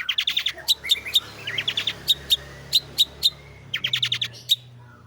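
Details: Long-tailed shrike, called cendet or pentet, singing in roll tembak style; short fast runs of sharp, evenly spaced chirps alternate with single clipped notes over a steady low hum.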